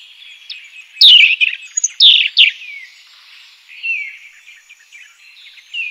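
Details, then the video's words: European robin in the wild, giving clear high whistled phrases with steeply falling slurred notes around one to two seconds in, softer thin twitters between, and a quieter descending note near the end. "european robin chirping in the wild"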